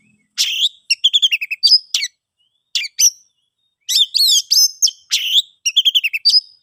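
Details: An oriental magpie-robin delivers ngeplong song, used as a lure for birds that have stopped singing. Rapid, fluty, stuttering phrases with quick note trains and rich twisting whistles come in groups, broken by brief gaps. No other sounds.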